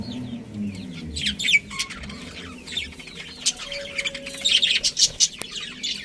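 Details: Pet budgies in a colony including a breeding pair, chirping busily: many short, bright high notes and twittery scratches overlapping, growing denser toward the end, over a low background rumble and a brief steady whine.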